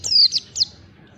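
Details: Oriental white-eye song used to train caged birds, a short burst of three high whistled notes, the first long and falling, then two brief sharp slurs, over quiet low background hiss.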